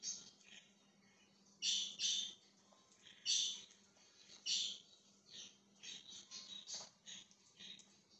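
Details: Indoor budgerigar chirping from 20 January 2023: a quiet opening, then clusters of sharp scratchy chirps about every second or so, ending in a run of softer, rapid chattering notes over a low hum.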